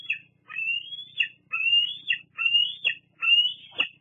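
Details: A young bald eagle at a Fraser Point nest squees at an adult, 8 August 2022; four long, drawn-out high squeals, each climbing slowly then breaking into a sharp falling note.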